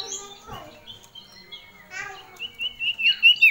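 A female common iora gives clear, high whistled notes that build into a fast run of loud, wavering whistles toward the end, with faint murmuring underneath.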